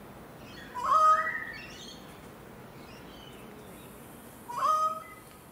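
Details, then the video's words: Sydney currawongs singing in a garden in Enmore, NSW: two short ringing whistled phrases, each a quick upward-swooping note with overtones, about three and a half seconds apart, with quiet between. "Sydney Currawongs"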